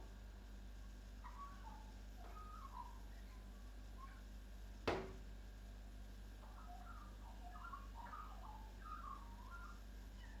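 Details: Australian magpie perched by a kitchen window in Chelsea, Victoria, Australia, merrily singing R2-D2-like phrases: short chirps and bending whistles in two bursts, separated by a single sharp click or knock midway, with constant background hum.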